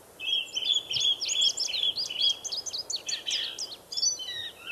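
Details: Forest recording of an indigo bunting: a steady stream of high, sharp, falling chirps over a lower held tone, notes tumbling quickly for several seconds against light background hiss.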